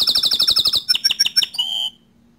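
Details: Canary song intended to make other canaries sing: a quick bright trill, several sharp dropping chirps, then a brief steady whistled note before silence.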